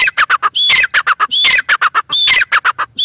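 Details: Harsh, rhythmic squawks of a female grey francolin: short raspy notes in quick trains punctuated by thin whistled notes, the pattern cycling roughly every 0.8 seconds.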